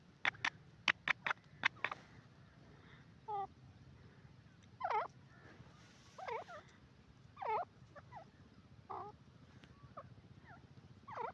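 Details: Grey francolin, known as teetar, gives a few sharp clicks at first, then shrill, looping, rising-and-falling calls repeated roughly every one to one and a half seconds over a low background hum.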